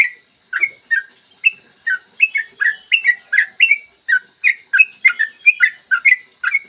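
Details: Long, fast song of a yellow-vented bulbul on a clear morning, meant to lure other bulbuls into singing: evenly spaced, liquid chirps and slurred whistles running continuously and growing denser toward the end.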